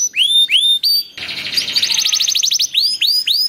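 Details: Canary singing as a lure for other canaries: looping rising-then-falling whistled notes about three per second, a dense buzzy rapid trill in the middle, then the looping whistles resume.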